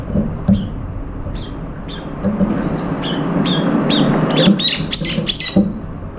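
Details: Brown-eared bulbuls squabbling over food, one bird with an injured left foot included; scattered thin chirps build to a cluster of loud, sliding squeals near the end, with a low hum throughout.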